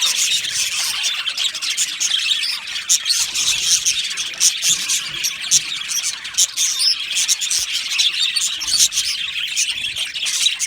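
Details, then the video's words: An aviary full of happy budgies keeps up a lively, high twittering chorus of rapid chirps and raspy warbles, steady throughout. "Happy Budgies Sounds | Budgies Chirping Sounds"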